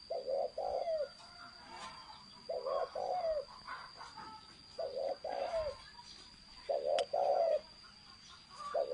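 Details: Spotted dove cooing in the thổ sấm manner, with soft double-note coo phrases recurring every couple of seconds. A persistent high-pitched whine and faint twittering of other birds sound behind.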